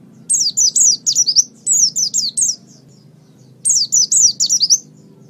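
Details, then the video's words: Training song of a white-eye for cage birds: two quick phrases of bright, high, twisting whistled notes, a pause of about a second, then another similar phrase; faint low hum throughout. "Masteran Terbaik Pleci Mata Putih"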